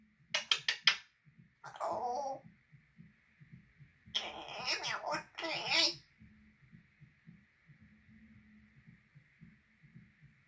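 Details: African grey parrot talking: a quick run of clicks, then bursts of speech-like chatter and a longer stretch of mimicked words, followed by a steady low hum.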